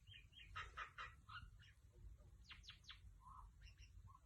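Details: Female mynah bird, recorded on an iPhone XS Max, giving a mix of sounds: a burst of squeaky chattering notes, three fast downward-sweeping whistles, then soft short calls, above a low steady hum.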